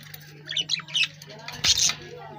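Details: A lovebird gives a quick run of shrill chirps followed by one sharp, louder squawk, against a low steady hum.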